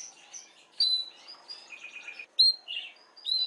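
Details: Canary song for stimulating females to mate, here quieter and broken: scattered short whistles, a clear high note, a brief low warble and sharp chirps separated by pauses.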